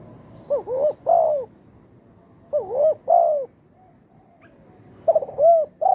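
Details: Spotted dove calling in the style locally named one kuk or two gayau, used as a lure for trapping; three low, hoarse cooing phrases, each of two or three bending notes, separated by short pauses, with a faint background hum.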